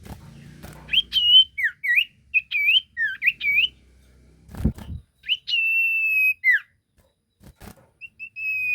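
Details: Lure recording of a lively sirtu: clusters of quick slurred whistles, then a long level whistled note ending in a downward slur. A sharp knock sounds midway and there are short gaps of silence.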